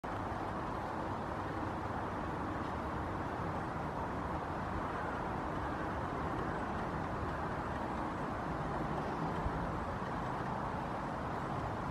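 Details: Steady road traffic rumble with passing vehicles and no animal calls.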